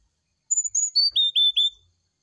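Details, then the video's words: Brown-chested jungle flycatcher singing in the morning, played to prompt another bird to reply: a bright phrase of about seven high, clear whistled notes, the first ones sliding down and the last three steady and evenly spaced, with no other sounds. "TERAPI SRDC DI PAGI HARI ,PANCINGAB SRDC NYULING DI PAGI HARI ,GAK NYAUT GAK MUNGKIN.."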